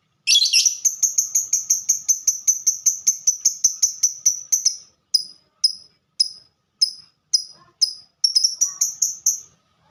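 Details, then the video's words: Lovebird ngetik (typing) song from a bird called a fighter: a fast rattling string of roughly twenty sharp ticks over five seconds, then slower single chips about every half second, ending in a quick flurry. "Burung Lovebird Suara Ngetik Dan Sama² Fighter"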